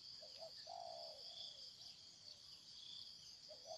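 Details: Wild spotted dove cooing: a short doubled low note, then a longer drawn-out note falling at the end, with another soft coo near the end, over a steady high insect drone.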